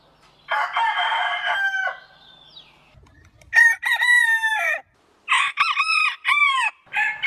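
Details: Aseel rooster crowing: a harsh sustained crow, then a bright stepped crow, followed by a string of short, arching notes with brief pauses between.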